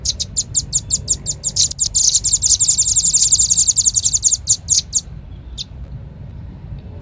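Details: Velvet-fronted nuthatch lure call: a quick run of high, dry chips that grows into a dense twittering burst, then fades to a few scattered notes and near silence.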